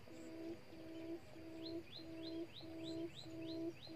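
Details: A quail, a decoy used late in the season to trap wild quail, gives low, hollow, steady notes of about half a second, repeated about every 0.6 seconds, with another bird's thin, rising high chirps alongside; the caught one is a female.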